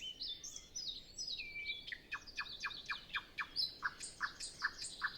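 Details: Nightingale in the calm pre-dawn, other birds silent: a high warbled opening and a drawn-out whistle, then a rapid series of repeated downward strokes ending in short, pure, evenly spaced notes.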